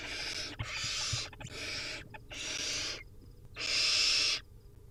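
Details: Wild Barn Owl nestlings at feeding time, hungry and begging: long harsh hissing screeches, broadband and noisy, each lasting about half a second to a second, repeated with short gaps, faint thumps and scuffling in between.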